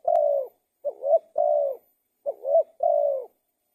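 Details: Spotted dove song made of low mellow coos: a long drawn coo, then two phrases of a brief rising note, an upswept coo and a sustained slightly falling coo, with no other sounds.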